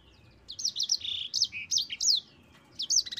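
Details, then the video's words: Mozambique canary, a bird kept for a long rolling song used to train other birds: bursts of bright, high twittering notes with quick up-and-down slurs, a pause, then a short renewed phrase. "SANGER GACOR ISTIMEWA"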